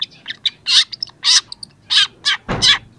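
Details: Young long-tailed shrike in full voice, its repertoire starting to come out, a recording meant to provoke silent shrikes: loud harsh rasping notes alternate with brief squeaky chips in an uneven rhythm, ending on a broad grating burst.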